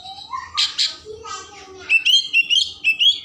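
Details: Oriental magpie-robin song meant to stimulate emotion and tail opening, full of rich mimicry: a rising, voice-like slur and harsh rasps, then a run of bright, clear whistled notes repeated about every half second.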